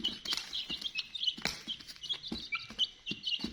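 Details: Chicks chirping: rapid high-pitched peeps from several birds at once, some rising and some falling, mixed with loud knocking taps and soft low rustling.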